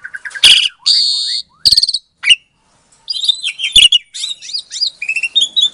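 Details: Captive-bred Asian pied starling from Klaten, Indonesia, recorded February 2022, singing a lure song meant to provoke silent starlings into answering: loud rich whistles and buzzy harmonic bursts, sharp clicks, then a rapid jumble of chattering, rising and falling notes.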